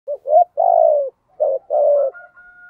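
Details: Spotted dove with a thổ-style voice, used as a decoy to draw wild doves: two coo phrases, each a short rising note then a long, slightly falling coo, with a faint high whistle at the end.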